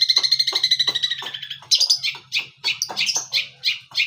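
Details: Young long-tailed shrike practising imitations of the cililin joined to the tengkek buto: a rapid, ringing high chatter gives way to scratchy, jumbled chirps and harsh notes of uneven spacing, loud and close.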